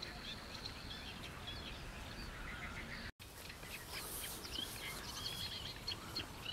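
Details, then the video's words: Black-winged stilts in Mutěnice, Czech Republic, giving short, sharp, repeated yelping calls from several birds at once, with a steady low background rumble. "Pisila caponoha3 Himantopus himantopus Black winged Stilt"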